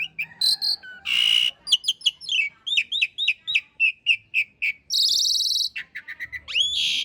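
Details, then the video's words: Training master for caged birds, Asian pied starling with rough long-roll fill: a harsh rasping burst, then a rapid string of short whistled notes, a drawn-out buzzy screech and rising whistles. "Suara masteran jalak suren isian kasar roll panjang"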